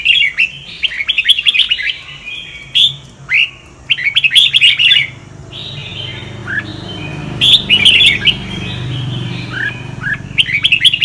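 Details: Sông Kon red-whiskered bulbul song for voice training, in clustered bursts of bright warbled chirps and downslurred whistles, with long gaps between phrases and a faint low hum underneath.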